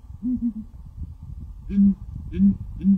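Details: Low booming hoots of a southern ground hornbill: a quick triple phrase, then three single deep booms spaced about half a second apart, each heavy and resonant, over soft background rumble.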